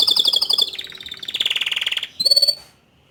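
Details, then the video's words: Song of a young male canary, sung to encourage a juvenile bird to open up; a rapid pulsed trill slides gradually downward, then a brief high whistled phrase ends it. "Memancing Emosi Kenari Paud Dengan Kicauan Kenari Jantan Muda Agar Cepat Buka Paruh"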